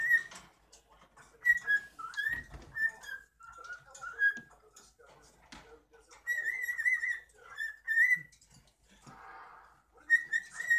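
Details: Cockatiel whistling and chattering at home for the camera: repeated whistled phrases with sliding, undulating notes, mixed with soft clicks and rustles between bursts.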